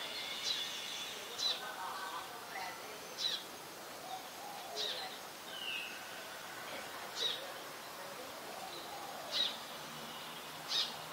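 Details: A Brown Shrike (Lanius cristatus), a very common winter visitor, gives short, harsh, high chack notes about every one to two seconds over steady outdoor hiss; Ubon Ratchathani, Thailand, 3 January.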